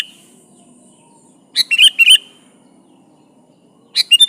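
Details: Sooty-headed bulbul, a persistent singer used to call a rival, gives two quick phrases of bubbly chirped notes over a faint low background hum.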